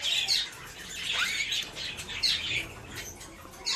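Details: Featherless captive Rose-ringed Parakeet nestlings in Limeira, São Paulo, Brazil, including the smallest, last-hatched chick, huddling together to keep warm; harsh, rasping squeaks in uneven bursts, some briefly louder.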